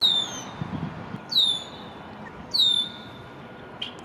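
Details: An immature male Red-winged Blackbird in his first spring, visiting a downtown backyard on May 1, 2024, gives three shrill, thin, downslurred whistles spaced a little over a second apart, over a low background hum.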